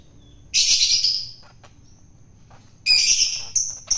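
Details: Long-tailed shrike, caught wild and now being fed to tame it, lets out long, loud, buzzy screeches, a sustained one near the start, then a second burst followed by quick shorter rasps.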